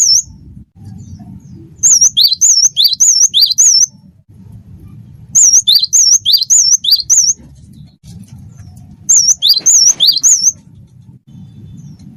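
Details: Wingko-type gelatik batu (Cinereous Tit) singing energetically as a tutoring recording: three separate phrases, each of three to four repeated double whistles, high undulating then lower, with pauses between and a constant low rumble beneath.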